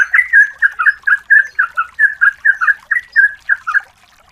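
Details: Female yellow-vented bulbul calling for a male, recorded as a lure: a rhythmic string of fluty, slurred chatter notes repeated about twice a second, ending abruptly.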